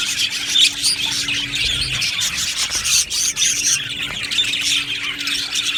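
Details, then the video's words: Colony of happy budgerigars chirping together in an aviary: continuous high chatter with scratchy squawks and brief whistled notes rising above the crowd, over a faint constant low hum. "Budgie Sounds for lonely Budgies | Happy Budgies Birds Sounds"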